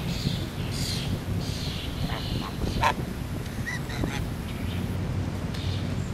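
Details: At a resort, geese let out a few short honks in the first second and a half, then scattered fainter calls, over a constant low rumble.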